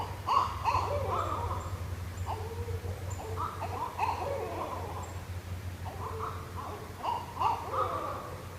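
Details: Barred owls calling to each other along the Shoal River in northwest Florida. Excited, wavering hooting and cackling phrases overlap in bursts throughout, with a steady low hum underneath.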